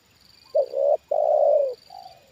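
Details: Spotted dove kept as a trained decoy, reacting to a wild bird for the second time. It gives one hoarse coo phrase: a short rising note, a pause, then a long level note that fades, followed by a faint soft trailing coo.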